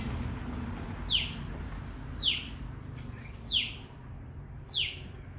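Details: Common tailorbird uttering four clear, piercing downslurred chirps spaced just over a second apart, with quiet low background noise.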